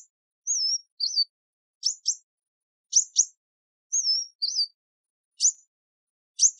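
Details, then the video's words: Kingfisher giving shrill, high-pitched calls: a thin warbled whistle and short trill, then pairs of sharp piercing chirps, the sequence repeating with brief pauses and no other sounds. "Wild animals: Racoon, Kingfisher , Mongoose, Sea Turtle, Oryx - Animal sounds"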